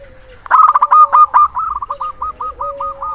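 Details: Local zebra dove with a loud, mature song, calling a rival. A loud rattle of rapid coo notes trails off into a long series of softer, regularly repeated curved coos.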